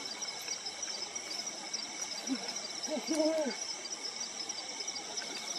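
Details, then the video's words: Brown wood owl hooting from dense lowland forest: one soft short note, then a brief burst of two or three low, slightly wavering hoots, against a continuous shrill insect chorus. "Brown Wood Owl Call"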